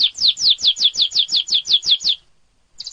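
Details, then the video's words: Canary master song, clear and easy for cage birds like magpie robins, leafbirds and white-eyes to copy. About nine sharp downslurred whistles come in quick succession, then a short pause before a high trill begins. "masteran kenari terbaik||cocok buat burung|kacer|ijo|pleci|suara jernih|mudah di ikuti.."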